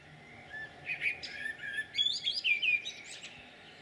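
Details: Common blackbird song, Jūrmala, Latvia, 11 June 2022: a run of mellow fluty notes building into quick, higher warbling and squeaky twitters, steady low hum beneath.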